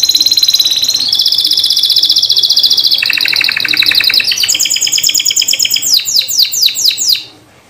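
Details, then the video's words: Atlantic canary lure song for canaries that stopped singing: a long chain of rapid trills stepping from high to lower tours, ending in slurred descending whistles repeated about twice per second before fading. "PANCINGAN canary MACET BUNYI || BURUNG canary YANG MACET BUNYI || JADI EMOSI BUNYI KEMBALI.!!"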